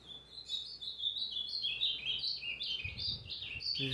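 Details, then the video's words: Ultramarine grosbeak, called azulão pardo, singing a lot on 29 August 2023; continuous rapid, rippling high phrases of short slurred notes rising and falling, with a brief low thump near the end. "AZULÃO PARDO CANTANDO MUITO"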